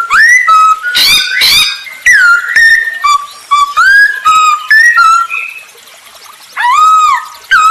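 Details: Masked laughingthrush song used as a lure for other birds: clear slurred whistles rising and falling, broken by two harsh raspy bursts, then a pause and a final arched whistle.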